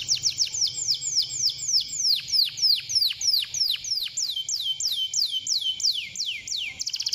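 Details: Canary singing played to stimulate canaries: a long series of loud sweeping whistles falling in pitch, evenly spaced, speeding up slightly, ending in a quick rattle.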